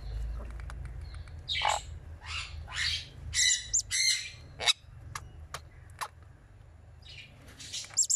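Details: Sun conure chick, ten days old, being fed; scattered short harsh squeaks and rasping bursts, irregularly spaced, some high and thin, against a faint low background hum.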